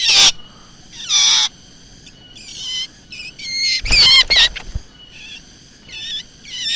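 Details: Black drongo calls used as a lure: scattered short, harsh, broadband bursts alternating with higher, wavering, chirpy harmonic phrases, separated by quiet gaps.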